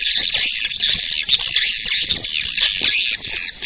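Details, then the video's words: Calling sound used to attract edible-nest swiftlets, a loud unbroken stream of shrill, fast twittering and chirping notes that waver slightly in pitch throughout. "Suara pemanggil burung walet"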